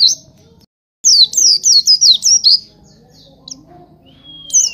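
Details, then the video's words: Oriental white-eye song: a lively burst of about eight high, zigzagging chirps, then a pause with a faint note, a thin falling whistle and one final sharp chirp. "Masteran Pleci"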